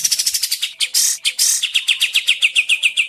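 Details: Sooty-headed bulbul lure recording, played to make birds answer and sing: fast run of sharp, upswept chirps, about four per second, broken twice by harsh, hissing bursts, then steady chirping again.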